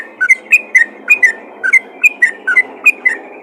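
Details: A vocal yellow-vented bulbul calls out to other bulbuls with bright, paired whistled notes that flick up and down, repeated roughly every quarter second over a soft hiss.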